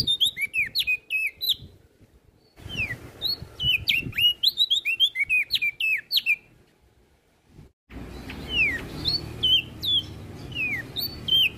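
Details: Olive-backed tailorbird song as training material for other songbirds: dense runs of rapid slurred whistles with crisp clicks, broken by near-silent gaps, then resuming over a louder hissy background.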